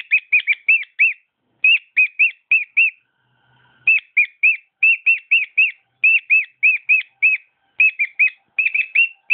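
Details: Cockatiel kept as a pet whistling its song: bursts of rapid, arched whistled notes broken by a short silent gap, then resuming in quick runs.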